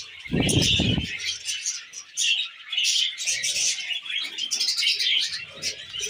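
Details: Several tame pet budgies chirp while eating wheat germ: dense, busy high chatter and warbling tweets run throughout, with a loud low thumping noise in the first second and softer rustling later.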